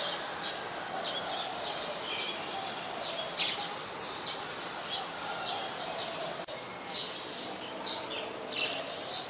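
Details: Olive-backed sunbird (Cinnyris jugularis) recorded at home on 25 March 2021 around 4:45 PM; scattered thin, high chips sound intermittently over a steady background hiss, with a brief click near the middle.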